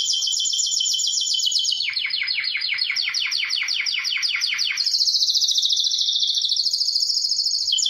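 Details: Canary in song: sustained fast rolls, a stretch of repeated dropping chirps, then high rattling trills that step slightly in pitch.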